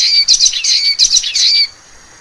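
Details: Common waxbill giving a fast run of buzzy, nasal chirps, bunched into about four rapid bursts over under two seconds, high-pitched with a thin steady tone underneath.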